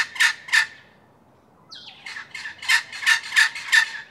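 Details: Red wattlebird, seen feeding a juvenile from about 5 metres, giving harsh, raspy squawks in quick runs about three a second, then a short pause before more insistent squawks.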